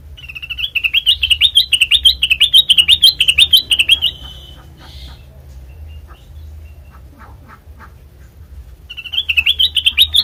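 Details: Black-crested bulbul song for luring birds into traps: a long run of fast, evenly spaced chirping notes rising and falling in a wavy line for about four seconds, quiet scattered clicks, then the chattering song starts again.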